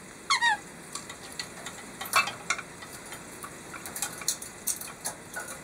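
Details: Ramu-chan, a white-bellied caique, works a treasure-chest foraging toy for peanuts, giving a brief, shrill, downward-sliding squeak, then a shorter one, amid scattered clicking and rattling of the toy.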